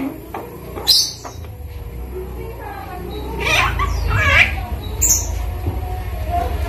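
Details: A 5-month-old hand-raised Javan myna, being taught to talk (greetings, coughing), gives a few scattered, harsh, squawky bursts and gravelly speech-like notes over a steady low background rumble.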